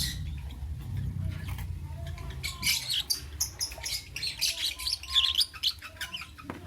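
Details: Lovebirds chirping in the morning over a low rumbling background; shrill, scratchy high chirps build up after the first two seconds into quick overlapping squeaks and a few thin whistled notes.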